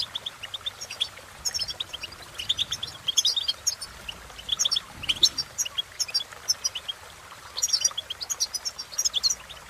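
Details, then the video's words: Cheerful European goldfinch song, fast liquid twitters and tinkling notes strung into long phrases with brief gaps, high and bright over faint hiss. "innovative Ways To impress The Goldfinch With Bird Melodies"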